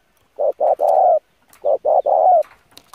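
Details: Spotted dove cooing, a lure call used for training birds: two matching low phrases, each two short coos followed by a longer drawn-out coo, with faint chirps in the background.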